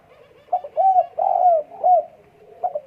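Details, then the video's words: Spotted dove in breeding condition, 12 December 2022, delivering a phrase of soft, mellow coos. A short first note leads into several fuller, drawn-out notes, then fades to a quiet final coo. "EMUSI KUAT BURUNG PUTER DEKUKUR LAGI BIRAHI"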